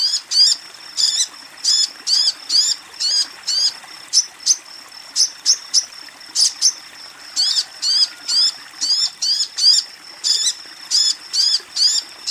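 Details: Female crimson sunbird call aimed at a male, offered as therapy for birds not yet singing; high, thin chirps with falling sweeps, repeated in quick uneven clusters throughout, over faint background hiss.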